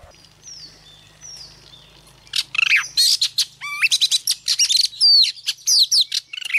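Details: Oriental magpie-robin; song; female singing to stimulate males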